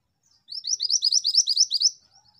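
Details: Energetic female Pied Bushchat producing a steady volley of around eleven bright, high upslurred chirps, then a few faint soft notes as it trails off.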